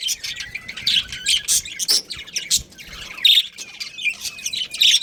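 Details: Chirping from a breeding pair of budgies: bright squeaky notes and short warbled phrases come in uneven bursts, with a few clearer whistled tones near the end.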